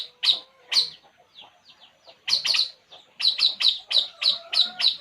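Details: Resting puling bird gives loud, high chirps with a slight whistle beneath, first singly, then a tight pair, then a steady run of about seven evenly spaced chirps.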